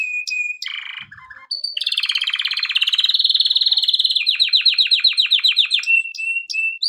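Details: A male canary sings a training song. Whistled notes and short chips lead into a long, dense, buzzy roll. The roll breaks into clear repeated downslurred notes, then ends in high whistles and chips.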